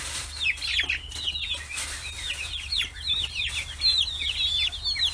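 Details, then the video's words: Forty-day-old chicks on a free-range farm in Kitahiroshima, Hiroshima, Japan, crowding around fish heads; many overlapping high, downslurred peeps run continuously, with a steady low hum underneath. "生後40日 魚頭に群がる中雛！chicks chirping sounds"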